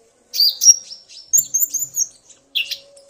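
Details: Male common iora singing after being provoked by a female's call, with male and female answering each other: short bursts of high, bright chirps and twittering notes in three separate phrases, with a faint low hum underneath.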